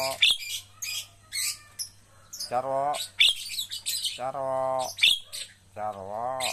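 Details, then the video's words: Javan myna in training to sing freely: harsh hissing chatter bursts alternate with long, drawn-out, voice-like droning notes rich in overtones, repeated about every two seconds, with a low hum behind. "melatih jalak kebo agar cepat gacor"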